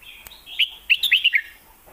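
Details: Caged red-whiskered bulbul in Thailand singing in the lak wai and mae bot song styles: a short burst of clear, warbled notes, several quick rising-falling whistles in a row, quiet background.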